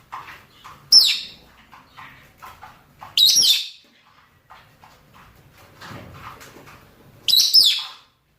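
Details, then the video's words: Male and female lovebirds, rosy-faced and Fischer's, giving mating calls: three piercing shrieks spaced a few seconds apart, with soft twittering and chatter filling the intervals. "نداءات ذكور وإناث طيور الروز والفيشر من أجل التزاوج"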